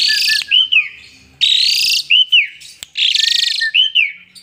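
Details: Asian pied starling, a lively singer said to bob its head as it sings: loud buzzy high bursts alternate with clear whistled notes that dip and rise, repeated in rapid, uneven phrases.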